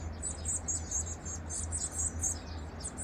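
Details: Varied tit nestlings being fed, recorded 2 May 2023: a continuous chatter of thin, very high, squeaky chirps tumbling over each other, with a constant low mechanical hum underneath.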